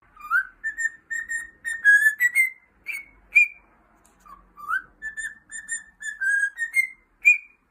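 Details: . Pet cockatiel singing: a run of clear whistled notes around a steady mid pitch, several short phrases with rising slurs and slight upward steps, a brief pause near four seconds, then the pattern repeats with similar whistles.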